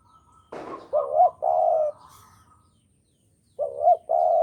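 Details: Lure recording of a Javanese spotted dove for bird trapping: two cooing phrases, each a quavering rising coo then a longer level hollow note, separated by about two seconds of quiet, with a brief rustle before the first.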